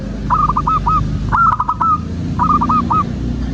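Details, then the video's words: Local zebra dove song for luring birds into singing: three short phrases of stuttering hooked coos, each a brisk cluster of notes about a second apart, over a low noisy hum. "Perkutut loka gacor pancingan agar burung perkutut BUNYI dan GACOR"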